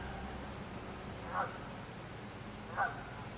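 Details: A shy Gray catbird, briefly present in shrubs, gives two short, harsh, nasal cat-like "meow" calls about a second and a half apart, over a steady low rumble of background noise.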